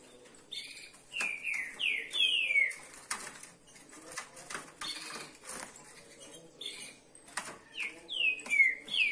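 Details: Captive green-winged saltators sing rich whistled phrases that slur downward, repeated in short bursts, with sharp clicks and wing-flutter noises throughout.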